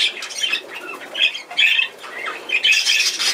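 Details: Cockatiel being hand-fed, recorded 28 July 2020: harsh, scratchy squawks in quick overlapping bursts, rising and falling in loudness, with rustling between calls.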